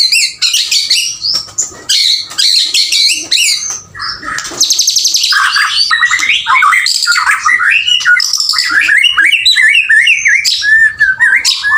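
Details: Male white-rumped shama pouring out continuous varied song, with dense high chattering phrases, a steady buzzing trill midway, and many short warbled notes sliding up and down.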